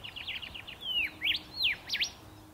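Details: Male Rufous Whistler singing while hidden among tree branches: a quick run of short high chips, then loud ringing whistles that swoop down and sharply back up, over faint background hiss.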